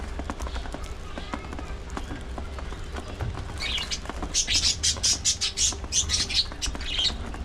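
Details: Budgies during early morning feeding time. After a few seconds of low hum and faint rustling, a burst of rapid high chirps and twittering chatter starts, continuing to the end with irregular sharp notes.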